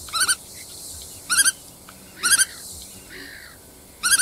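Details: Black-tailed godwit; brief nasal bursts of two or three clipped notes each, repeated about once a second over quiet background.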